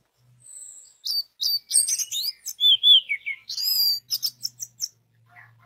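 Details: Song of an orange-headed thrush, played to prompt other orange-headed thrushes to sing. A varied, fast medley of sharp chirps, looping whistles and buzzy high notes, with brief gaps between the bursts.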